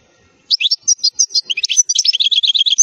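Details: Goldfinch tutor song for young birds: a clean two-and-a-half-second stream of quick, high, bright chirps accelerating into a rapid twittering trill.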